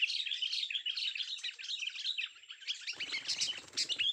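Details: Young sooty-headed bulbul giving a continuous fast, high-pitched twittering chatter of short varied notes. A brief burst of low rustling noise comes near the end.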